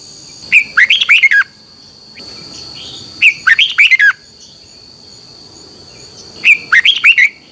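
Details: Red-whiskered bulbul morning song, twisted double-voice style, recorded as a training lure for other birds: three lively bursts of five to six slurred, chirpy whistles roughly every three seconds, separated by quiet gaps, with a faint steady high tone throughout.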